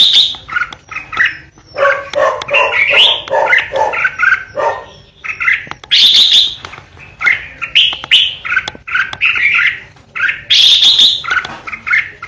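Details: Lure red-whiskered bulbul in loud 'ché' song used to stir fighting birds: continuous jumbled warbles and harsh chatters, with bright high notes rising above steady phrases and only short gaps.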